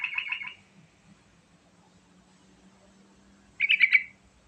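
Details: Yellow-vented bulbul song used as a lure to set other birds singing: two short, bubbly, warbled bursts of rapid notes, one at the start and one nearly four seconds later, with a faint low hum in the quiet gap.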